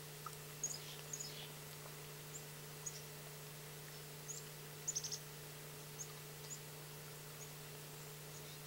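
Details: Chickadee calling in Bemidji, Minnesota: brief, high, thin chirpy notes scattered irregularly, with a tight burst of several notes midway, over a constant low electrical-sounding hum.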